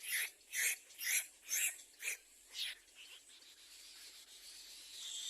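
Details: Little egret chick at a second nest crying to its parents for food: harsh, raspy bursts repeated about twice a second for two seconds, then softer, fainter rasps trailing off.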